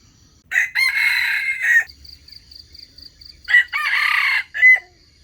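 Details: Two crows in succession from a wild junglefowl, used as bait to trap wild chickens. Each has a short opening burst, a long hoarse sustained part and a clipped ending, with a pulsing insect drone between them.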